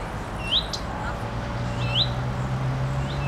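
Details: Female common redstart (Phoenicurus phoenicurus) on a branch swaying in the wind, tail bobbing, gives its characteristic thin, upslurred whistled 'fuit-tik-tik' call, one roughly every second and a half, over a steady low rumble.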